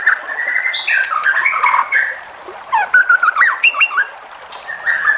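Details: White-rumped shama singing to provoke rival shamas: rich whistled warbles and slurred phrases, a pause, then quick looping twisted notes and sharp ticks, ending in another whistled phrase over a steady hiss.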